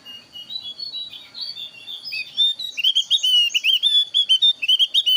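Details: Javan grey-throated white-eye, thin-browed type, singing a varied trapping lure song: soft warbling builds into a brisk series of sharp, bouncing whistles, roughly two per second, above a steady high tone.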